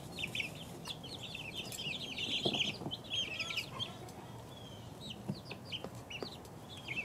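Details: Two-week-old chicks peeping as a group: dense, overlapping high thin cheeps, many short downslurred and rising notes packed together without pause, over a low steady hum.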